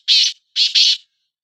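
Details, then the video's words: Black francolin, known locally as kala teetar, from a recording comparing the calls of two birds: a brief phrase of three harsh, grating notes, the last two joined into a double burst, then silence. "Kala Teetar Bulai | Black Frankoline Voice| Bular | کالا تیتر کی آواز"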